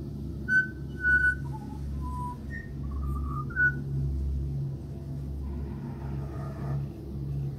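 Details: A house-visiting Australian pied butcherbird sings a flowing phrase of pure, fluty whistles, some held and some sliding, stepping between high and low pitches before fading into a low hum of traffic-like rumble.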